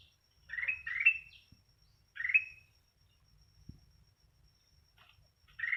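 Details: Sooty-headed bulbul singing short, bubbly, rising phrases: three bursts in the first half, then brief silence before quieter notes return near the end, in a quiet setting.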